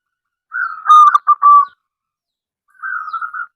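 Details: Indonesian local zebra dove, a strong caller kept to entice others to sing; one loud stuttering phrase of short clipped coos, then after a pause a softer, rolling trilled coo, with no background noise.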